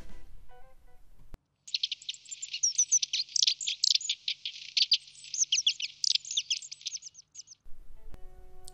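Long-tailed Tits give a six-second burst of thin, very high calls: quick chattering notes mixed with short trills. Soft music sounds briefly before and after.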